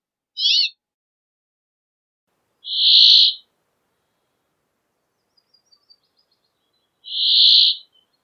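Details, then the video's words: Brambling singing: a quick twittering chirp, then two long, harsh, buzzy wheezes about four seconds apart, with a few faint ticks between them in otherwise quiet surroundings. "Brambling Song! Brambling Call! Brambling Voice! - Pinzón Real Canto"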